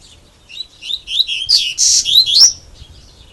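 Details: Double-collared seedeater, a kept male-style songbird praised as excellent, singing in the 'grego' style: a rapid run of high, thin whistled and chirping notes, rising and falling, with one harsh buzzy burst near the end.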